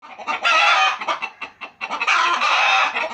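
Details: Pet chickens kept at home clucking: loud, harsh, drawn-out squawking calls around half a second long, separated by shorter clipped clucks, with a second long raspy call near the end.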